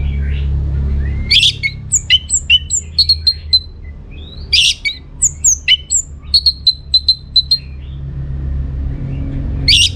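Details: Orange-headed thrush song as a lure: repeated loud sequences of sharp high clicking notes and short whistles in rhythmic runs, broken by brief noisy bursts, over a low hum.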